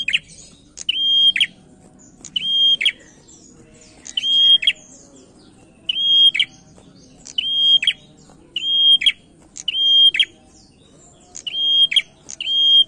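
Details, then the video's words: A vocal male prinia, used as a lure bird, repeats loud, sharp phrases every one to two seconds: clicking notes wrapped around a high, steady whistled tone, over a faint low hum. "PRENJAK JANTAN MULUS GACOR PANCINGAN"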